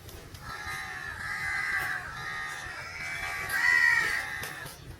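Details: Crows calling for food, long harsh nasal caws held for about a second each, overlapping in a steady chorus with strong bands of tone, one louder caw near the end.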